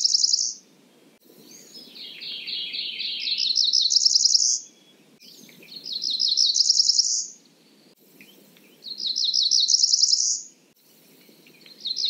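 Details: Cerulean warbler repeating its rising, buzzy song. Each phrase is a fast series of short, high notes stepping upward to a thin trill. Four phrases follow one another at a steady pace, with faint low background hum.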